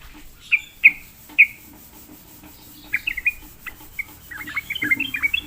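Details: Sooty-headed bulbul lured to sing: three loud, clear single whistled notes, then a quieter, varied twittering run that speeds up toward the end.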